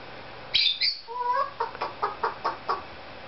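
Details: Pet Cape Parrot indoors imitating a chicken: a sharp high whistle, a few lower harmonic squawks, then a run of short clucking pulses repeated about five times a second, with a person speaking nearby.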